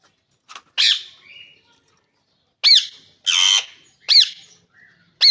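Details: Green ring-necked parakeet calling. Sharp, piercing shrieks alternate with harsh noisy squawks at intervals of about a second, with short quiet gaps between them.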